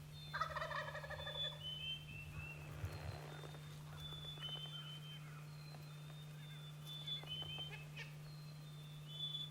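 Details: Wild turkey gobbling on an early April morning in the spring woods during hunting season: one loud, rattling gobble of about a second, while songbirds whistle high and thin over a steady low hum.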